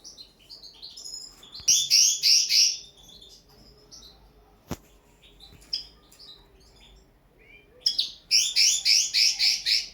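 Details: Caged common linnet in its first training session for singing on a table; two loud bursts of rapid, evenly repeated bright twittering notes frame a quieter stretch of scattered chirps, with one sharp click midway.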